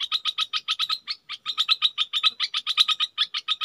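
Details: Caged decoy Red-whiskered bulbul giving quick repeated chirps in bursts separated by brief pauses, each note bright and clipped. No other sounds.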